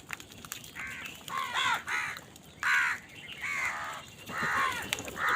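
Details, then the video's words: Loud calling from crows squabbling over food: a steady run of overlapping hoarse caws, roughly one every second, against a busy noisy background. "কাকের ডাক Crow Sound Crow ki Awaz Loudly | Crow bird Fight for Food"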